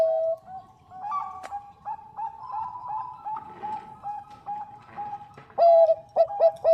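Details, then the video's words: Female zebra dove of the Bangkok type calling to a male: a long stretch of soft, rapid, evenly repeated coo notes, with a louder, clear, ringing burst of coos near the end. "PERKUTUT BANGKOK GACOR SUARA JERNIH MENGUNDANG BUNYI"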